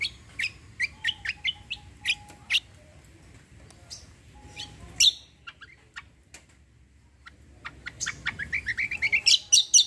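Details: Cucak kombo song of the kecial kombo roll tembak kind, a varied string of sharp, high chirps and clicks, sparse in the middle, then building into a fast rising run of loud notes at the end.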